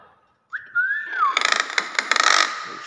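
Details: Common hill myna copying speech. A short whistled tone rises and slides down, then is followed by a burst of harsh, rapid, noisy pulses.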